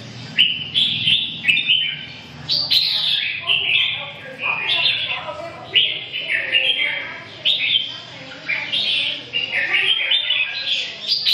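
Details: Red-whiskered bulbul in song, a steady run of rich warbling phrases with quick up-and-down whistles, each burst lasting about a second, sung nearly without pause; faint low background hum.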